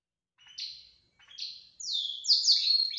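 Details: Belgian canary singing outside its cage: two short high chirps, then a loud run of sharp descending sweeping notes blending into a fast trill.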